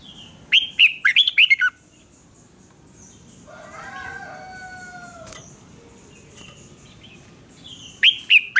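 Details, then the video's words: Red-whiskered bulbul in a singing duel, used for voice training: a loud burst of sharp, warbled whistles rising and falling, a quiet gap with a longer, drawn-out harmonic call in the background, then another short whistled burst at the end. "Chào mào hót/Kích chào mào hót đấu Luyện giọng hay ép bổi sổ bọng và căng lửa"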